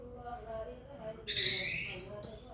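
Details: Orange-headed thrush, locally anis merah, said to sing loudly on hearing the call to prayer or Quran recitation; a slow chanting human voice gives way to a loud, buzzy whistled phrase rising in pitch, then short sharp notes.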